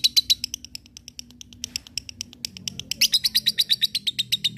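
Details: Lovebird chattering in ngekek style to provoke rivals and train fighters: irregular shrill chips at first, then a fast, loud, continuous trill of piercing notes, over a low background hum.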